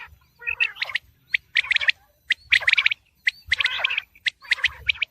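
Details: Quail sounds for the approaching wheat season: short bursts of harsh, high chirps in clusters, separated by brief silences, about one burst per second.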